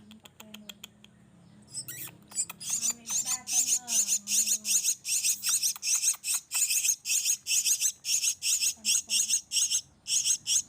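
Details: Javan myna nestlings being spoon-fed by hand beg loudly: after a quiet start with a low voice murmuring, a long, steady train of harsh, rasping, hissy calls repeats roughly two or three times per second.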